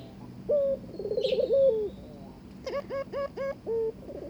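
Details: Courting Barbary dove, newly paired, coos once: a clipped opening note, a quavering roll and a drawn-out falling tone, followed by a run of short bright hooked notes with rich overtones.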